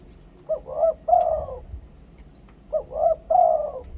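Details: A spotted dove repeats its two-kuk koo-ang phrase twice: two short hooked kuk notes rising into a long, level then falling koo-ang coo, in the Thai luring style, with faint low background noise.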